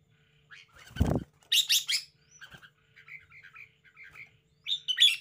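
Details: Caged red-whiskered bulbul in a lively, spirited display: a loud thump like a wing flap or knock, then bursts of bright chirpy notes, a pause, scattered short warbled phrases, and a final sharp chirping burst.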